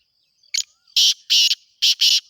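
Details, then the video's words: Black francolin calling in the breeding season: a short thin note, then two paired bursts of loud, harsh, grating notes. A steady high insect whine sounds behind. "کالا تیتر کی آواز سیزن مستی کی بولائیاں"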